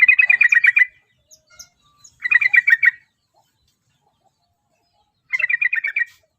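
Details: Prospective champion yellow-vented bulbul from Java sings three short bursts of fast, bubbly repeated notes, the last after a pause of over two seconds, with a few quiet chips in between.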